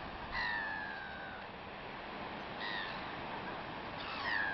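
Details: Feeding gulls give three long, nasal, descending cries, each about a second long, spaced roughly two seconds apart over a constant noisy background.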